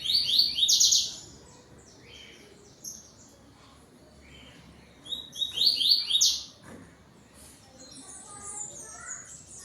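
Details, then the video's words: Double-collared seedeater (yellow-billed form) singing at dusk on 12 November, answering another bird: two loud bursts of rapid, buzzy, high descending notes about five seconds apart, with softer chirps of other birds between. "COLEIRO TUÍ TUÍ ZEL ZEL ZEL ZEL"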